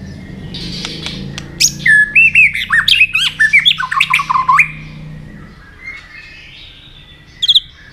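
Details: White-rumped shama roused to fight-sing, tail flicking: a burst of varied, loud, warbling and whistled phrases that swoop up and down for about three seconds, followed by quieter scattered notes and a brief high chirp.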